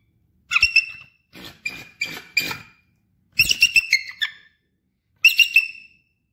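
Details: Captive female Bald Eagle, a resident bird at a raptor center in Sitka, Alaska, calling: shrill, high piping and whistling notes delivered in four separate bursts of rapid, slightly chattering notes with short pauses between.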